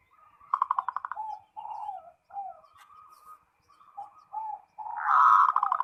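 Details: Zebra dove calling a rival: a quick stuttering run of coos, then several lower, drawn-out cooing phrases with pauses, ending in a loud fast trill of notes.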